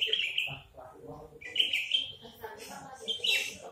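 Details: Captive Horsfield's bush lark with a crest and big body, giving rasping high chirp phrases roughly every second and a half over a murmur of quieter low notes.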